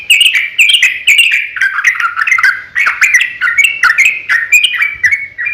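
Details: Sooty-headed bulbul fighting song in long ropel style, a lure to make other bulbuls call back. Strong chirped notes fall and rise in quick, choppy phrases throughout, with only tiny gaps between bursts.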